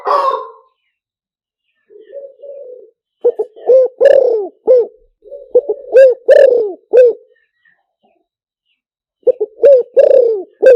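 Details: Repeated coo phrases of a spotted dove, played as a decoy call for luring. A quiet murmured opening leads into loud, clipped, rounded notes, grouped three or four at a time. Three phrases with brief silences between them.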